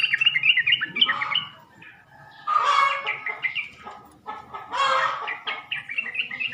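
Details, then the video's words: Lure calls of sooty-headed bulbul used to get males responding: three loud bursts of busy, jumbled chattering notes separated by quieter pauses of about a second, voices overlapping. "PANCINGAN SUARA BURUNG TRUCUK,jantan di jamin langsung nyaut"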